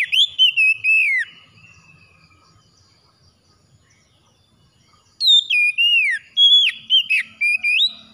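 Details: Oriental magpie-robin singing for morning conditioning meant to get a quiet bird singing again. Loud, clear whistled phrases with sweeping, slurred notes and rich overtones come in two bursts, one at the start and one near the end, separated by near silence.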